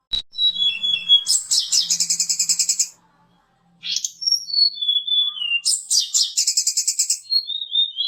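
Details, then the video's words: Lure song of a mountain tledekan meant to provoke fighter birds: a sharp click, gliding high whistles, then a long fast rattling trill, a pause, and more descending whistles with another rapid trill. "PANCINGAN SUARA BURUNG TLEDEKAN/SULINGAN GUNUNG FIGHTER GACOR"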